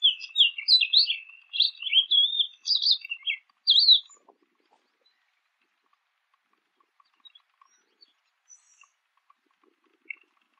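Jungle babbler giving about four seconds of squeaky, chattering high notes in quick bursts, then near silence with a few faint distant chips.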